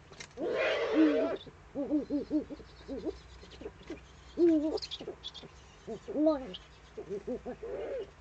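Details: On a webcam at an Eifel eagle-owl nest, 19:00 on 23 February 2015, while the male passes a prey gift to the female, a harsh rasping screech leads into irregular wavering, bubbling hoots.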